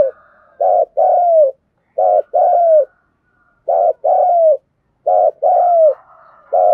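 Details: Lure spotted dove giving its calling coo over and over: short low note, then a long mellow coo sliding downward, about every one and a half seconds, with a faint steady hum behind.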